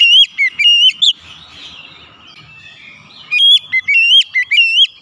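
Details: Oriental magpie-robin song used as quick therapy to get silent or stressed birds singing: loud whistled phrases with rising and falling notes and sharp upward sweeps in two bursts, separated by a quieter gap of soft background chatter.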